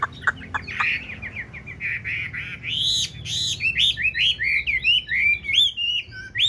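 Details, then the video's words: Tame caged Chinese hwamei, large-bodied and blue-eyed, indoors in a dark house, starting with a few sharp clicks, then pouring out a rich, continuous warbled song of rising and falling whistled phrases. "chim thuần sách lồng vẫn hót | Họat Họa Mi"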